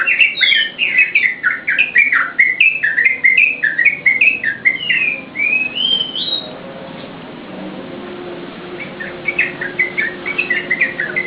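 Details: Yellow-vented bulbul singing, a recording used to lure and train caged birds: six seconds of rapid bubbling, slurred whistles ending in an upward sweep, a quiet pause, then softer distant chirps return.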